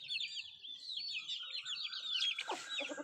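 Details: Country chickens while eating, mostly a steady stream of high, arched chick peeps, ending with a louder harsh burst of noise.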